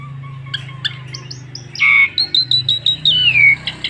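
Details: Song of an Asian pied starling used to prompt other starlings into song, beginning with soft scattered notes over a low hum, then louder clipped whistles and a long descending slurred whistle.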